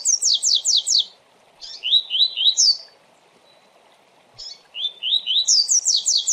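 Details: A coleiro's tui tui song, delivered quickly as a teaching song for young birds: high, rapid, slurred notes, then rising whistled chirps, pauses, and a return to the fast high trill.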